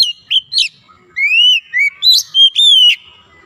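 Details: Caged oriental magpie-robin singing clear, loud whistles: brief sharp notes followed by long arching slurred whistles, some rising then dipping, about eight notes in quick succession.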